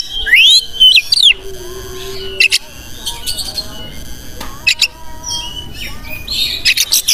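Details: Oriental magpie-robin's tutor song meant to provoke display in other birds: bright looping whistled notes, a low steady whistle, then scattered harsh notes and a closing burst of buzzy chatter.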